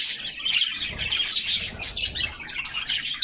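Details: Canaries in a refreshing summer bath sing in quick overlapping high tweets and trills, with soft fluttering and water splashes in the background.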